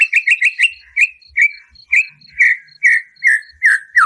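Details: White-rumped shama, vigorous song with harsh 'shot' notes meant to provoke a captive bird: a quick string of clipped notes, then loud down-slurred whistles repeated about every half second, a steady high ticking underneath.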